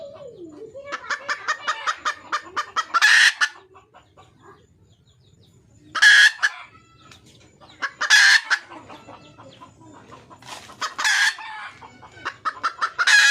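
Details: Wild red junglefowl hen calling for a male: a run of short clucks builds into loud, harsh, noisy cackling bursts about every two to three seconds, with quieter clucking between them.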